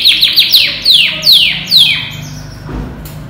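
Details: About ten months old, a banded canary imported from Europe sings a varied, switching song. Sharp descending whistled notes come in quick pairs and threes, separated by short pauses, then a fading high buzzy note.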